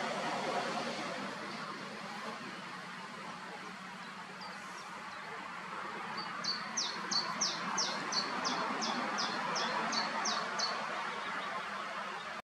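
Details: Family of white-tailed eagles at their nest with three growing young, the youngest lighter and smaller, in Alde Feanen National Park near Koudum, Netherlands, on 8 May. A faint, evenly spaced run of about a dozen high, sharp yelping notes comes over steady background hiss.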